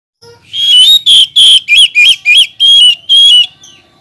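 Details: Oriental magpie-robin calling to rivals: a loud, rapid run of bright whistled notes, some warbled and bending, delivered in eight tight bursts over about three seconds, then a soft trailing note.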